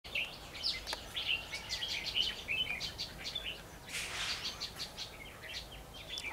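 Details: Red-whiskered bulbul acting as a decoy to lure wild birds into a trap, recorded 17 March 2016: a dense, lively stream of short, bright warbled notes and quick chirps with overlapping phrases, and a brief noisy rush near the end.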